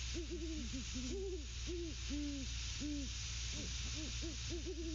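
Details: Great horned owl pair at their nest at night in December, hooting to one another as the male moves a pinecone. Many soft low hoots and grunts come in quick, uneven runs, over a steady hum and hiss.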